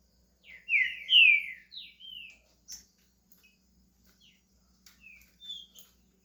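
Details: Green-winged saltator in Brazil starting to sing: loud, slurred whistled notes sliding down around mid-high pitch, then softer scattered short notes and chips with gaps between them.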